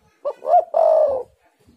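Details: Spotted dove, used as a lure to get other doves to sing: a short low coo, then a rising-falling coo, then a longer steady purring coo, all low-pitched, in a quiet room.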